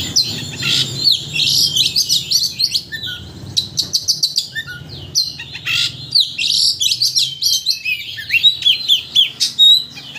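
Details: Sustained Oriental magpie-robin song used to provoke another bird into emotional, full-repertoire singing; ten seconds of continuous rapid whistles, trills and scratchy chirps with brief pauses.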